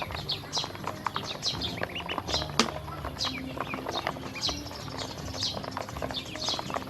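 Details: Baby domestic ducks, hungry and being fed with feed and drinking water: shrill descending peeps from several ducklings overlapping every half second or so, with dense tapping and pecking noises beneath and a faint low hum.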